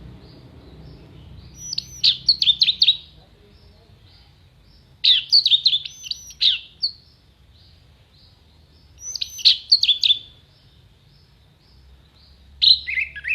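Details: Orange-headed thrush, an actively singing bird on a tutor recording for songbird contests, full of sharp 'tembakan' phrases with a clear voice: bursts of rapid high whistled and chattering notes about a second long, repeated roughly every four seconds over a quiet background.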